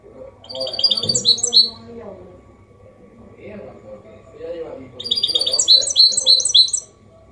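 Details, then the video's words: Goldfinch mule in clean Málaga-copy style, a tutor song for young birds and singing males: two short bursts of quick high twittering separated by a few seconds of low murmuring voices. "Mixto jilguero Limpio canto (copia malaga) Elegante / mule of goldfinch bird singing the best sounds"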